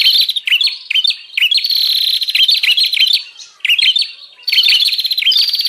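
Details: Noisy bar-winged prinia lure sound for catching wild prinias: excited, rapid buzzing trills mixed with sharp chirping flicks, delivered in dense bursts separated by a short pause.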